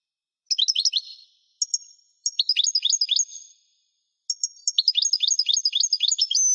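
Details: A European goldfinch kept as a pet gives several short bursts of lively twittering, with quick high chirps and slurred notes in uneven groups and brief pauses between phrases.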